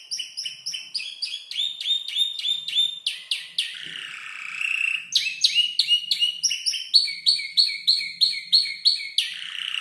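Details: Five-month-old canary composing its song from copied tutor-bird sounds like ciblek and prenjak lumut; varied series of repeated high chirps and trills changing pitch every second or so, with a brief drawn-out buzzy note.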